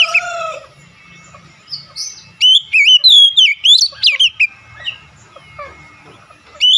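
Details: Oriental magpie-robin singing a fast run of clear, looping whistles and sharp upslurred notes in the middle of the stretch, softer twitters before and after, over a faint low hum.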